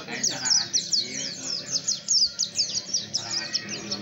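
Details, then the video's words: Oriental white-eye song used as a lure to make other white-eyes open their beaks and answer, a rapid run of high thin twittering notes pouring on without pause, over a faint low hum. "pancingan pleci agar buka paruh,ampuh langsung nyaut"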